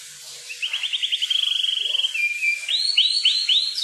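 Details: Kukluk bird singing in the wild: a fast, even trill of high notes, then a steady whistled tone dropping in pitch, followed by four loud, sweeping whistled downslurs in quick succession.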